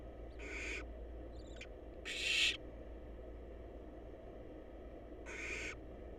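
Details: Wild barn owl chicks in a monitored nest box huddle together waiting for their next meal; broad hissing screeches with energy around two to four kilohertz come in three bursts, a short fainter click between them, over steady low hum.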